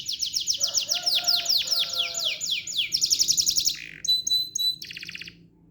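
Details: Canary in loud, fast song: rolling series of high downslurred notes, a lower warbled phrase underneath, then clipped buzzy trills and staccato pips broken by short pauses.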